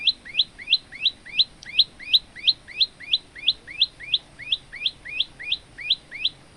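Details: Olive-backed tailorbird male, a training recording for other birds: some twenty upward-flicking chirps delivered in an even rhythm, close to three per second, slightly uneven in the middle.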